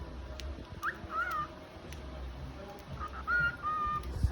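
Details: A cockatiel, increasingly talkative and singing, gives two short bursts of clear whistling, a quick rising-and-falling note then a longer wavering whistle, over a low indoor rumble.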